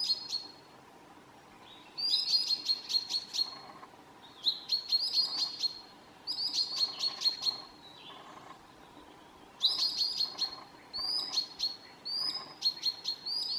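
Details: A Common sandpiper (Actitis hypoleucos) gives alarm calls near a likely nest at midsummer in Southern Savonia, Finland: thin, high, piping notes in rapid bursts every few seconds, with a faint lower murmur behind.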